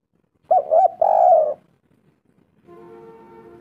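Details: Spotted dove lure call intended to prompt responses: two quick hoots and a long falling coo, then a faint steady humming tone continuing to the end.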